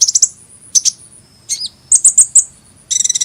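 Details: Hummingbird twittering: a quick burst of high chirps, a wavering squeaky note, four bright repeated tweets, and a fast rattling trill at the end.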